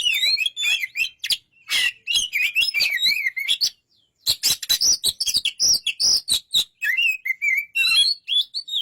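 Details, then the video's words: Energetic white-rumped shama song packed with rapid harsh notes, warbling whistled loops and sharp clicks, a brief pause midway, then continuing with varied chattering and a clear whistle. "burung kacer"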